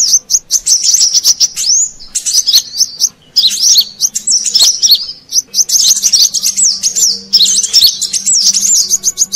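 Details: Brown-throated sunbird calls used as an Indonesian lure for wild birds: short bursts of piercing high chirps and warbling trills separated by brief silences, with a soft low drone in the background.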